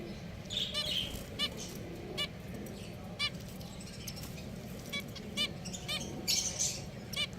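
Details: Several pet finches giving clipped, nasal toy-trumpet beeps at uneven intervals, with a few higher twittering notes over a low, constant room hum.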